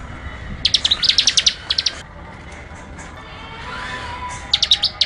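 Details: Short bursts of rapid, high, chattering notes from a Bar-winged prinia, a cluster early on, a quiet gap, then a brief final run; faint background noise between phrases.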